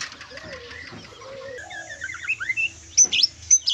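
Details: White-rumped shama, newly out of spotted juvenile plumage, in kriwikan style. Low soft warbles lead into a quick rising run of slurred chirps, then sharp high piercing notes repeated several times.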